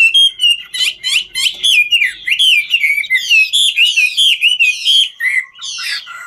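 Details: Chinese hwamei, ngũ trường style, singing as it dances: a string of loud, repeated looping whistles and buzzy notes, roughly three per second, ending in softer falling slurs.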